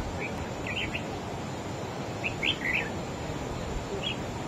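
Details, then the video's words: Wild-caught adult red-whiskered bulbul singing against a rival bird: short bright warbled phrases, a brief one near the start, then a burst of three rapid twisting notes, and a faint final note, over steady low hiss. "Chim Chào Mào Của A Tủa Hót Đấu Ché Đè Đối Phương Quá Khét."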